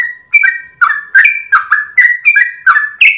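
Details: Sooty-headed bulbul, gacor ropel song at dawn for training cage birds: steady run of bright whistled phrases, each note slurring down then jumping back up, about three per second.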